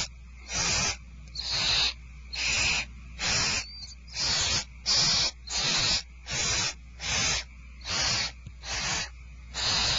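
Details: Barn owls at Starr Ranch at dinner time, 2/1/12: about eleven harsh, wheezing hisses repeated a little under once a second, all at similar loudness, over a low steady hum.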